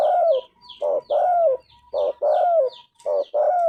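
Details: Clear, repeated cooing of a spotted dove prized for its golden voice: short hoot, then a long gently falling coo, over and over, while a small bird adds high sweeping chirps between phrases.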